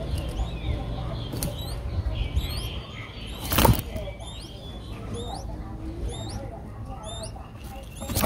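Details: Streak-eared Bulbul chicks aged five days, Ubon Ratchathani, Thailand, 7 April 2023, giving faint high upswept squeaks in twos, recurring throughout amid low background hum and a brief loud rustle midway.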